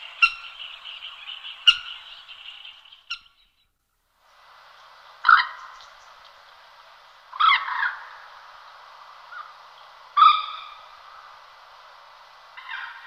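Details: Common moorhen giving various calls, typical alarm calls among them: a buzzy harmonic rattle for about three seconds, a brief pause, then sharp, harsh single calls every two to three seconds, each with a bright rasping burst.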